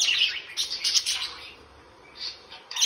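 Budgerigars chatter in quick, scratchy high chirps and warbles, with brief gaps between bursts.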